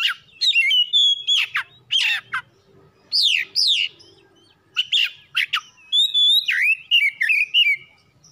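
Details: Domestic oriental magpie-robin song used to get birds singing: dense sequence of loud whistles, steep down-slurred notes and sharp chirps, ending in a wavering whistled trill.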